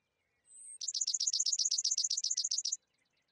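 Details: Worthen's sparrow (Spizella wortheni) call: one thin, very high note, then a quick, dry trill of about two dozen even chips over two seconds. Nothing else is heard.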